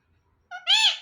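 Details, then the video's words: Talking hand-tame pet parrot says a single word after a moment of silence. A short nasal first syllable leads into a louder, drawn-out harmonic second syllable that fades away. "My So Sweet Parrot Speaking and Dancing Joyfully"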